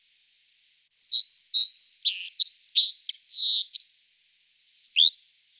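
A white-throated dipper sings a quick, high jumble of sweet whistles and scratchy, grating notes. The song runs for about three seconds and ends with a brief final phrase.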